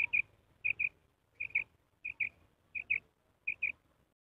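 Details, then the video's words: A female common quail at night utters six bright, paired high notes at regular intervals of about 0.7 seconds, with a faint low rumble underneath. "female batair awaz female batair ki awaz"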